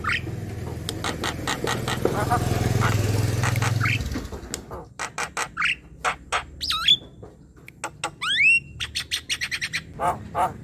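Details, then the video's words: Black-winged starling, a young bird, singing harsh squawks and clicks over noisy low rumble at first, then clearer curving whistles and rasping notes. "Suara jalak kebo gacor | Masteran jalak kebo muda / bahan"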